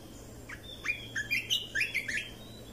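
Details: Red-whiskered bulbul song used for training young birds and stirring birds up: a somewhat distant series of six or seven clear, swooping whistles about a quarter-second apart, over a noticeable hiss.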